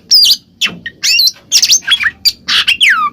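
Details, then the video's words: Oriental magpie-robin singing in the loud ngeplong style, used as a lure to make a silent bird answer: sharp high whistles and harsh squawky notes in short bursts, with sweeping slurs and a long falling whistle at the end. "suara burung Kacer NGEPLONG kacer bisu pasti langsung nyaut seketika"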